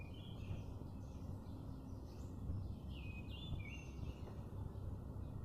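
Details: Outdoor bird chirping: a scatter of brief high whistled notes and short downward slurs, several in quick succession midway, above constant low-pitched environmental rumble.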